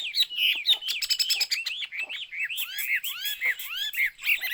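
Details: Chinese hwamei song: a fast, continuous stream of loud, looping whistled notes, each arching up and down, delivered in a rich, varied warble with brief clicks between phrases.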